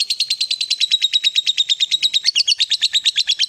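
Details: Long ngekek trill of a fighter lovebird, used to coax a quiet lovebird into song: rapid shrill chirps repeated evenly at a steady pitch, clean and loud.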